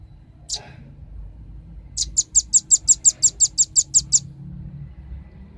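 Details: A velvet-fronted nuthatch heard on a lure recording meant to attract birds: one sharp chip, a pause, then a clean rapid run of about thirteen piercing high notes, followed by quiet.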